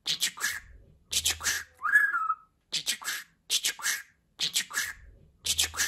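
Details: Budgerigar kept as a pet, talking: clipped, raspy syllable groups repeat with short gaps, one sharp falling whistle between them, over a faint low hum.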